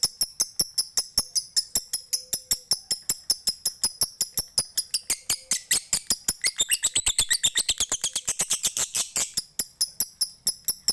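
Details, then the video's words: Lovebird from Bali, Indonesia, singing a long ngekek chatter to spur other lovebirds. A steady, fast series of high, shrill ticks, roughly three per second, thickens midway into a denser rasping chatter, then steadies again. "MASTERAN LOVEBIRD KICAU MANIA BALI NGEKEK NGETIK PANJANG MANTAP BUAT PANCINGAN BURUNG LOVEBIRDMU"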